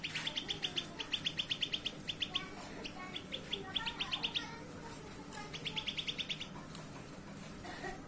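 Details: Grey-bellied bulbul pair in song, delivering quick trains of sharp repeated high chips, about eight to ten notes per burst, separated by short pauses, with a few softer lower notes and constant low hum behind.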